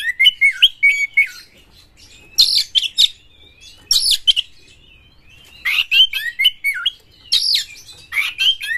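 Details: Lure song of a champion Oriental magpie-robin, singing hard with full emotion and tail open to provoke rival magpie-robins: short rich bursts of whistles, chirps and buzzy trills, separated by quiet gaps of about one second and linked by faint thin whistles.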